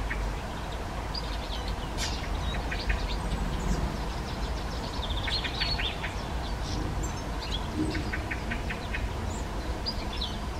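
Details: Hawfinch calls in a garden: clusters of sharp, brief ticks in short bursts separated by pauses, over a constant low rumbling background noise.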